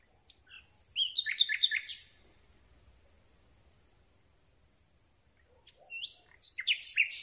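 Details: At night a Common Nightingale sings close to the microphone: a dense phrase of rapid, clipped chirps, a silence of several seconds, then a second similar phrase of jerky, rising and falling notes.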